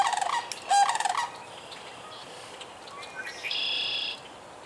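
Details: Sandhill crane recorded in Michigan, March through June: a rolling, rattling harmonic call opens the recording for just over a second. Quieter background with a thin, sustained high whistle from another bird follows.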